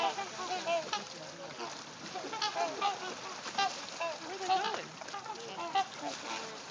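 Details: Trumpeter swans in Arkansas, recorded on a phone: a flock gives overlapping nasal, honking calls throughout, several each second, over a steady background hiss.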